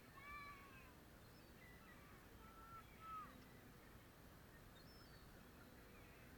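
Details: Gulls in Chester, UK: a few clear downslurred, mewing calls near the start and around the third second, with fainter calls scattered through a steady background hum.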